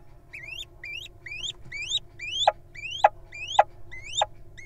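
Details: Little owl nestlings in a wild nest box: a run of repeated rising whistled calls, many ending in a sudden downward snap, given roughly twice a second with a steady low hum behind.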